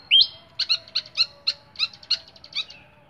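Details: Flycatcher in a cage opens with a loud rising whistle, then gives a steady series of crisp, high, two-part chips about three per second that taper off softly.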